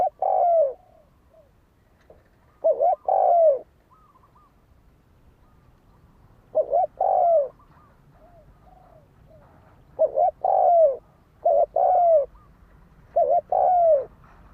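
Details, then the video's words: Cooing of a fighting spotted dove, used as a lure to excite a decoy bird. Low, hollow double coos, a brief note followed by a drawn-out descending one, come in irregular bursts, with soft chirping from other birds in the gaps. "Tiếng chim cu gáy đấu bổi dùng kích mồi cực chuẩn"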